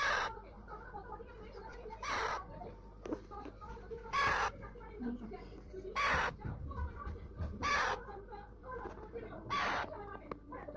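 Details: Pet talking Alexandrine parakeet giving six loud, harsh, broadband screeches spaced roughly two seconds apart, over a steady indoor background hum with soft voices between calls.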